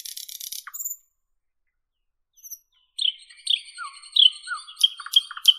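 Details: Northern European nightingale: a harsh buzzy rattle and a falling note, about two seconds of near silence, then a varied run of high whistles, falling slurs and sharp ticking notes.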